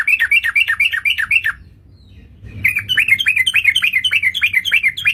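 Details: Trucukan, the sooty-headed bulbul, used as a trapping lure: fast series of clipped descending chirps, a silent gap near two seconds, then a longer steady run of the same notes over a low background hum.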